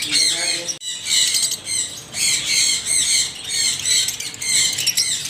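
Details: Extremely loud parrot screeching, harsh raspy squawks in long bursts of about a second each, separated by short pauses.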